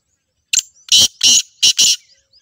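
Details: Black francolin (Francolinus francolinus), call.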